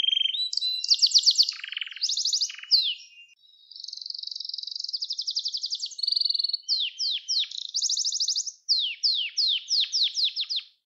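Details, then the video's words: A Gloster canary sings a long varied phrase for training young canaries: buzzy trills, a sustained rapid high trill, then a run of sharp descending whistles repeated about every half second. "Gloster Kanarya Sesi Ve Ötüşü | Kanarya Huylandırma Ve Kızıştırma Ötüş Eğitimi"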